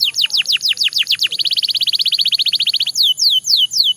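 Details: A Belgian canary's song opens with quick downward-slurred whistles and moves into a rapid, even trill lasting over a second. It ends with a few slower falling whistles.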